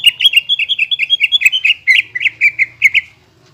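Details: Greater green leafbird song played to get silent birds singing again: a fast, continuous chatter of bright, bouncing notes with brief rasping accents, steady and unbroken for about three seconds.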